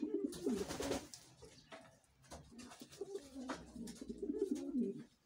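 A King pigeon gives low, throaty, rolling coos in two bursts, with scattered clicks and shuffling in a small indoor space.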